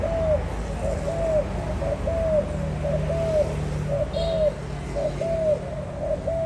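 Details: Spotted dove cooing steadily, short, slightly arched coos repeated about once a second in a fairly even rhythm, with a brief faint chirp from another bird midway and low background hum.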